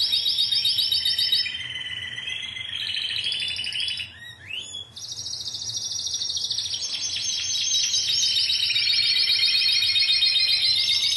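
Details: Singing Timbrado canaries from a Greek 2009 team: short high rolls, a brief pause near the middle, then a long unbroken bright trill that continues steadily to the end.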